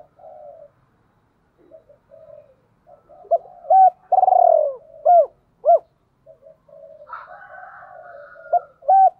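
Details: Decoy spotted dove call: quiet low murmurs build into crisp arched coos and one long tremulous descending coo. More murmuring and a higher wavering note follow, then a final pair of sharp coos. The setting is otherwise silent.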